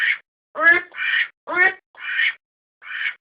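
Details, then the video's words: Domestic duck calling, recorded for use as a decoy: harsh nasal quacks alternate with short buzzy honks, six notes in about three seconds, clean with no other sounds. "アヒルの鳴き声 おとり用"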